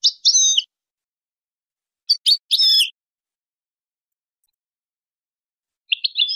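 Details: Goldfinch song meant for training chicks and songbirds: short high twittering phrases of buzzy, tinkling notes in three separate bursts with pauses between them, no other sounds.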